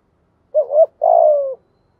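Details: Spotted dove coo in the thúc gù manner, meant to excite newly caught doves into calling: a rising two-part coo followed immediately by a long, steady, slightly falling buzzy coo, with silence around it.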